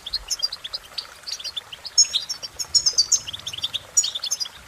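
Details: Songbird goldfinch pouring out a fast, jingling twitter of high chirps and liquid trills, growing louder and busier in the second half.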